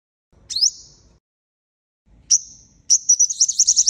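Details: Sunbird call for luring birds to traps. Two separate sharp, high, down-slurred notes with ringing tails are followed by the start of a rapid, buzzy high trill.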